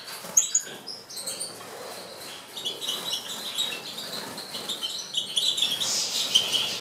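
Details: European goldfinches; busy chatter of high twittering notes, short trills and liquid tinkles, several birds overlapping, growing fuller toward the end.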